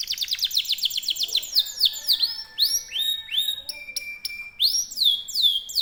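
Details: Kenari canary in long-duration rolling song: very fast high chattering trill opening, then repeated arching whistled notes and a sustained flat whistle, continuous without pause.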